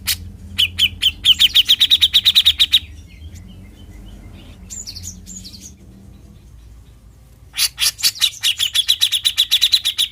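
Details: Grey-cheeked bulbul besetan, the cucak jenggot's fierce rapid call: a fast rattling run of sharp notes, a long quieter stretch with a few faint whistles, then another rapid burst.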